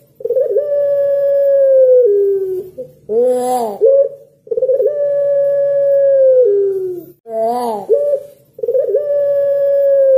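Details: Long calling by a puter pelung dove, a call said to make other doves reply: drawn-out steady low tones roughly two seconds each, every one ending in a short harsh wavering burst, about three cycles.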